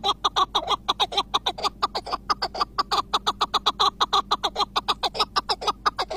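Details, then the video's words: Iraqi chukar partridge, a long-singing bird, keeps up a sustained series of loud, clipped, throaty chuk notes, a little over three per second and slightly uneven in spacing. "IRAK KEKLİK SESİ 🪶 UZUN ÖTEN KEKLİK"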